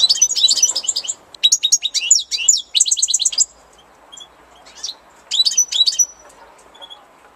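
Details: European goldfinch in spring delivering bursts of quick, high chattering notes and a run of evenly repeated bright syllables, then sparse single chips before a final tinkling flourish.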